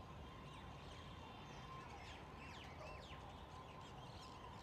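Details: At roosting time on a mango tree in Delhi, under an overcast winter sky, a flock of common mynas chatters with overlapping squeaks, whistles and rising and falling notes, amid traffic, an ambulance and jungle babblers.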